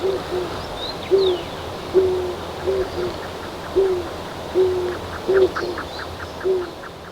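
A Eurasian eagle-owl gives deep, short hoots, single or paired, about once a second. A faint background hum and soft clicking sounds run underneath.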